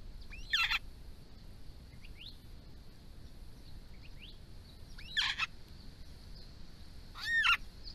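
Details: Grey-crowned babblers in Victoria, part of a family group visiting water during hot summer weather: scattered short calls, soft rising notes, and a final loud arched call, separated by pauses, over a steady high hiss.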